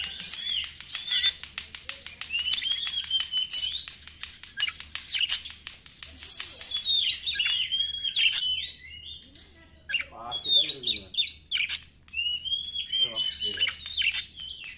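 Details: White-rumped shama song used as a lure: long, rich sequences of whistles, rapid rattling trills and buzzy notes, with several pauses between bouts.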